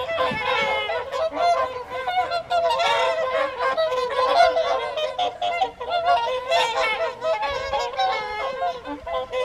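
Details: Whooper swans on the Folly Pond at WWT Caerlaverock during the January 2023 evening feed, a crowded chorus of resonant, nasal whoops and honks overlapping without pause for nearly ten seconds.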